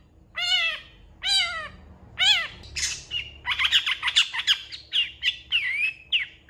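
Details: Long-tailed shrike singing: three drawn-out nasal, meow-like notes, then a fast jumble of harsh chatter and short whistles, with low background hum.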